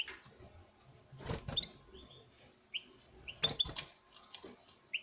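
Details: European goldfinch male displaying to a female in a breeding cage: scattered bright chirps and slurred whistles, with bursts of rattling cage noise between.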